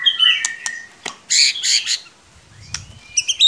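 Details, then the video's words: White-rumped shama lure sounds to stir a quiet young shama: clear whistles, then harsh buzzy squawking bursts, a silence, and a rising thin whistle with clicks. "Solusi murai ngiriwik kurang gacor cukup dengarkan suara pancingan ini pasti nyangut"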